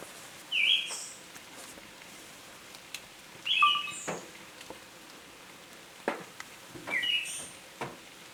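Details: Siberian thrush singing in Tohoku, Japan, on 21 July 2020: short, clear two-part whistled phrases spaced a few seconds apart, with sharp clicks and a steady background hiss of outdoor noise.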